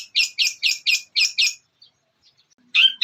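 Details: Long-tailed shrike singing in master-song style with copied sounds. Six loud, scratchy, evenly spaced notes come in a row, then a short silence and a final harsh burst.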